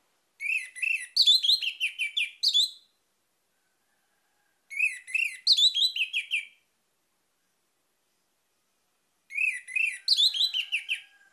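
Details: Vigorous orange-headed thrush song meant to stir other birds into singing: three long, fast phrases of varied chirps and whistles, each about two seconds long and starting every four to five seconds.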